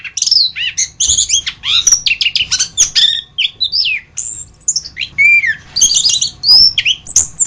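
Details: Anis kembang, the orange-headed thrush, singing a long masteran tutor phrase of dense, rapid notes: sharp descending chips, buzzy fragments and high whistles pour out almost without break, with a lower pure whistle midway.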